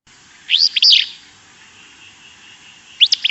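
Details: Willow Flycatcher gives its wheezy, burry, rough sneeze-like fitz-bew (heard as "achoo"), then starts another about two seconds later; the background is quiet.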